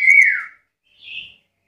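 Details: Single loud black-capped lory whistle, bright and falling in pitch over half a second, followed after a pause by a soft, higher, hoarse note.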